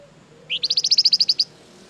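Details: Flamboyan bird in full, lively song, used as a lure to make other birds respond: a rapid run of about eleven sharp, high, evenly spaced chipping notes lasting about one second, with a faint low hum behind.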